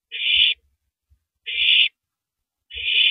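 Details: At 3:33 AM on April 9, 2012, a female owl tears at a big rabbit before swallowing it, giving three long rasping hisses about 1.2 seconds apart, with soft thuds underneath.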